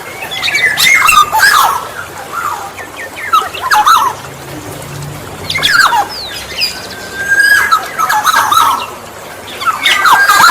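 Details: Black-naped oriole sounds meant to lure orioles: bursts of whistled and slurred notes with harsh squawky edges, coming in clusters about every two seconds among chattering high calls of other birds.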